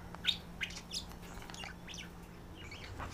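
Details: A female budgie staying as a guest and a male budgie calling to each other at night-time settling, flirting; three sharp chirps in the first second, then softer rapid twittering fading out.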